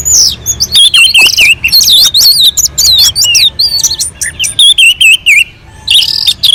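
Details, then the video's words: Non-stop melodious song of an orange-headed thrush on a mountain slope, used to provoke other birds; dense varied whistles, trills and slurred chirps flow almost without break. "kicauan anis merah sangat merdu dan gacor untuk pancingan"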